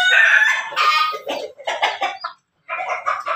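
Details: Backyard chicken of a Pelung–Bangkok–Ketawa cross crowing; a short harmonic crow opens, then broken, stuttering syllables like the chopped laughing pattern, with a brief pause and more clipped notes.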